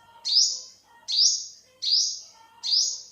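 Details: Olive-backed sunbird, also known as yellow-bellied sunbird, calling four times with high, piercing, downslurred notes spaced under a second apart, over a quiet background.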